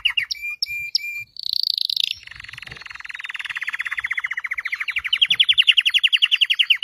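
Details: Red Belgian canary song: a few sharp chipped notes, a high buzzy burst, then a long rhythmic trill of repeated notes that gradually rises and grows louder.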